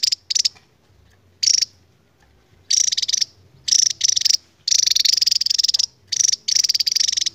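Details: Endemic Javan tesia's long 'ngebren' singing: scattered short shrill bursts at first, then denser, longer rapid-fire trills that nearly run together toward the end.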